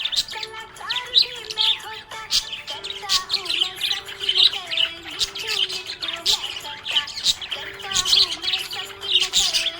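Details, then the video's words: Happy budgerigar chirping: dense, rapid high chirps and twitters, fairly continuous, over steady low tonal harmonic sounds resembling background music. "Happy budgie chirping sound"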